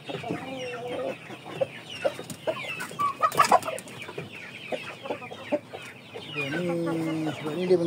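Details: Broody hens, in a Malaysian flock of Aseel, Shamo and Ganoi Saigon chickens, utter dense, overlapping clucks and short notes. A longer, tonal, wavering call follows near the end.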